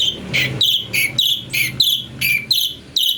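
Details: Cucak cungko (chestnut bulbul) song variation for training magpie-robins: clipped whistled notes repeated roughly every half second over a steady low background hum.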